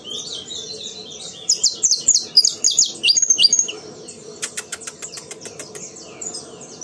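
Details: Vigorous CT sistemático phrase from a captive saffron finch: a tumbling string of high chirps, then a quick series of dry, clicking ticks, with many other birds twittering softly behind.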